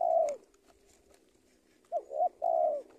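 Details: Low coo from a spotted dove used as a decoy in an Indonesian luring session: a long falling coo ends, then after a pause comes a fresh phrase of two clipped notes and a drawn-out coo.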